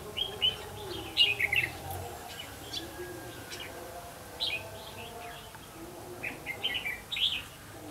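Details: Decoy red-whiskered bulbul at a trap, 8 October 2016: repeated short chattering, whistled phrases every couple of seconds, set against a continuous low hum and faint hiss.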